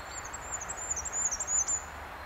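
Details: Goldcrest, nominate subspecies Regulus regulus regulus, Brussels, Belgium, March 2012: a short fragment of extremely high, thin, sibilant notes run together in quick succession, partly masked by constant low rumbling noise.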